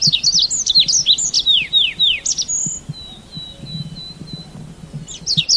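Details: A quick series of high, sweet, downward-sliding chirps from a red avadavat, ending in a brief pure whistle, followed by faint thin notes over soft low rumbling background.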